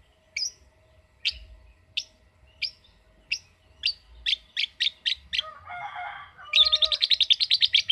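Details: Lovebird answering a calling recording: sharp chirps at first about every 0.7 seconds, speeding into quick bursts, a harsh buzzy chatter, then a long rapid trill of evenly repeated high notes.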